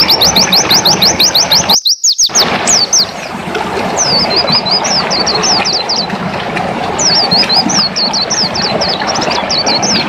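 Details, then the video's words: Orange-headed thrush of the dakun type singing in the lively ngelas style: rapid runs of sharp, high, downslurred chirps repeated about three per second, with a brief gap and then looser phrases of similar chirps over steady background noise. "Peleci dakun gacor ngelas"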